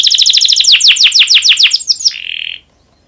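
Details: Domestic canary in breeding condition, singing to stimulate other canaries to sing: a rapid, rhythmic series of bright repeated notes, about three per second at first and then quickening, ending in a short steady buzzy trill.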